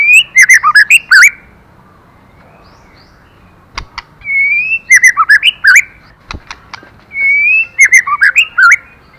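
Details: Female white-rumped shama singing to excite the male. Three separate phrases, each a rising whistle breaking into fast chattering notes, are separated by quiet gaps and a few sharp clicks.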